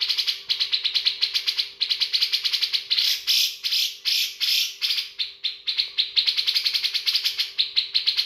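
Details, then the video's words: Bearded bulbul, a caged songbird, singing a rich, varied song of rapid chattering and whistled notes in quick bursts, with a steady low electrical hum underneath. "Cucak jenggot isian Mewah"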